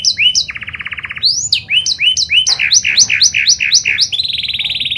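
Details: Singing panda canary, recorded as a lure to make other canaries sing: brief high notes, a low-pitched rolling trill, a row of repeated rising chirps about four per second, then a fast bright trill.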